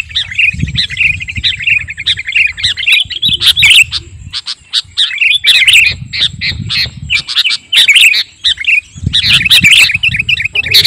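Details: Sooty-headed bulbul (kutilang garuda) in busy, sustained song, meant as a lure and master recording. A long run of fast trilled chatter is followed by scattered sharp chirps and squawky notes, with low background rumble.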